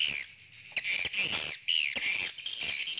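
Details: Swiftlets courting, giving loud harsh chattering bursts with rising and falling squeaky notes, repeated in several pulses over three seconds.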